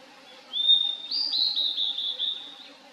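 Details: 2023 valley song of a wild Blue-and-white Flycatcher: a pure whistle rising into a string of short stepped, slurred notes repeated in quick succession, fairly loud and clean.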